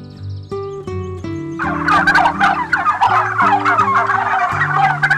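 Guineafowl break into a dense, harsh, rattling cackle over steady background music.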